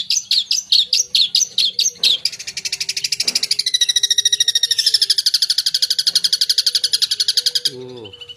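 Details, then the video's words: Long-tailed shrike in full 'isian' song: quick sharp chips for two seconds, then a long rapid buzzing trill of even, high pulses lasting over five seconds, ending with a low descending rattle. "Suara Burung Cendet Gacor full Isian"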